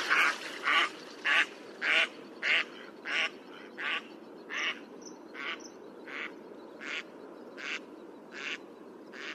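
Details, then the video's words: Duck, said to be a duckling in a pond, quacking in a steady series of about fourteen short, nasal calls, roughly one every two-thirds of a second, growing softer toward the end. "Duck Sound duckling in the pond -duck quack"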